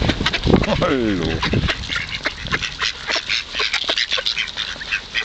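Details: A hungry flock of ducks crowds in during feeding at the Kirchsee, Preetz. A person's voice comes first, then rapid, clipped quacking and chattering calls tumble over one another without pause.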